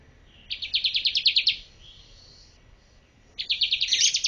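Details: Bar-winged prinia master song for bird training: two short bursts of quick, high, sharply repeated chirps about a second long, separated by a soft, thin higher note and a quiet pause.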